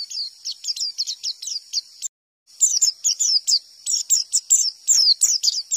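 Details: Wild white-eye song used as a lure to make other white-eyes answer: rapid bursts of thin, very high twittering and quick slurred chirps in a busy run, with a brief silent break partway.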